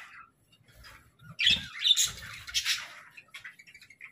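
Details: Pet budgerigars (parakeets) kept as a group: after a quiet start, a burst of harsh, scratchy squawks and chatter mid-clip, fading to soft scattered chirps, with low knocks and thumps underneath.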